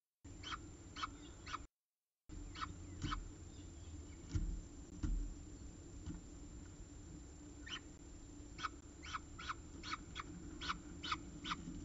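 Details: Peregrine falcon at its CSU Orange nest site on an October 2019 evening, bringing the last prey of the day: bursts of short, sharp chipping notes, several in quick runs, one brief dropout, over constant low background hum.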